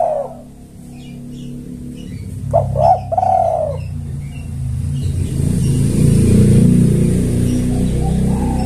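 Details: Spotted dove used as a lure for males: a single gurgling coo phrase midway, with a short tail of cooing at the start, partly masked by a loud, steady low rumble.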